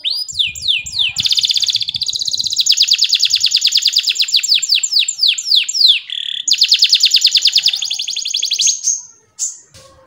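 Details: Canary in full song, meant as master song for young birds and to prompt lazy singers: long runs of rapid descending sweeps repeated about three per second, shifting into buzzy trills and a brief whistle at the end.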